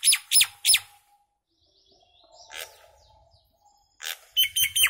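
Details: Mynah singing three loud falling whistled notes, a quiet gurgling middle section, then a burst of squeaky, piping chirps.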